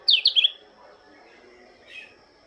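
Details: White-eye from Lombok greeting the morning dew: three quick, high, sliding chirps in rapid succession, then a softer, brief chirp after a pause.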